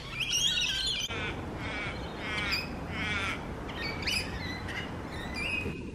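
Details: Rainbow lorikeets, common in urban eastern Australia, calling noisily as they feed and play: harsh, grating screeches with buzzy banded tones, several overlapping calls across the clip over a steady low background rumble.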